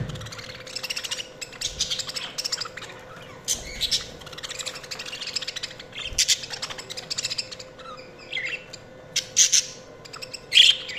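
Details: Several budgies chattering: a steady stream of rapid, high chirps, squeaky twitters and short scratchy notes in quick irregular bursts, with a louder sharp chirp near the end.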